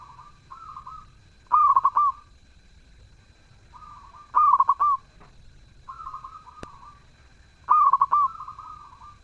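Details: Lively zebra dove song: a staccato, bubbling coo repeats about every three seconds, while softer, smoother coos of other doves fill the pauses.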